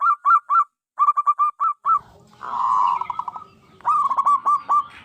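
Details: Zebra dove (Geopelia striata), locally perkutut, singing a series of soft arched cooing notes, broken midway by a buzzy rolling phrase that ends in quick stutters, then more rapid coos.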